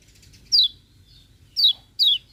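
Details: Lemon-bellied white-eye in the morning: three separate high, thin notes, each sliding sharply downward, with brief silences between them.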